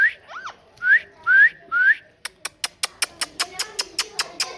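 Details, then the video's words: Four rising whistled notes from a parrot, spaced about half a second apart, followed by a fast run of sharp regular clicks or taps roughly five per second. "Parrot Talking"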